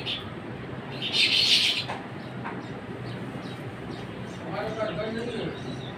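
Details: Baya weaver singing in Pakistan: a harsh, buzzy, wheezing chatter lasting under a second, followed by fainter scratchy notes, over a steady background rumble of noise.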